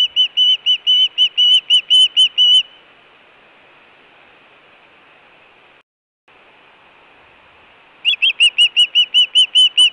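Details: Osprey at the Hellgate nest, Montana, June 2017, food or alert calling: a fast burst of whistled chirps, several seconds of near silence, then another quick run of sharp whistles.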